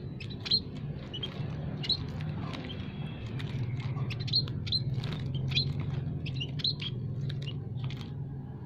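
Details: Munias, including white-headed, scaly-breasted and Javan munias, calling in an aviary for use as a trapping lure: thin high chirps scattered across several seconds over a steady low hum.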